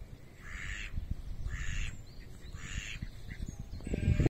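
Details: Three harsh, nasal quacks from a female and male mallard pair on the Étang du Moulin pond at Rolleville, France, about one a second, over a steady low rumble of wind or handling noise.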